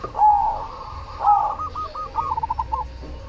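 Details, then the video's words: Cemani-variety zebra dove song: two strong, drawn coos at the start, then a run of short stuttering notes that fades, amid softer cooing from neighbouring doves. "SUARA PERKUTUT CEMANI GACOR"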